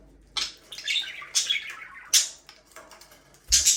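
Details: Budgerigars from an aviary breeding pair, a few scratchy chirps and wavering warbles separated by quiet pauses, closing with a sharp loud squawk.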